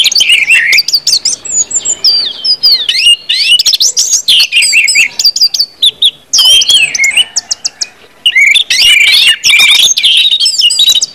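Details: Ngeplong-style song of an Orange-headed thrush, played to prompt other thrushes into song: rapid sweeping whistles and twittering runs in dense bursts, with short gaps throughout.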